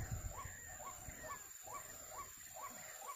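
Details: Hoarse repeated notes of a white-breasted waterhen, called kreo padi or ruak-ruak, during bird trapping, about two each second, with a low thud at the start and rumbling background.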